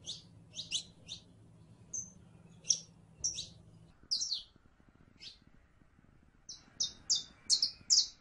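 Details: Sharp, high chipping song of a saffron finch, irregular at first, finishing with a quick run of ringing, whistled notes; low steady hum underneath.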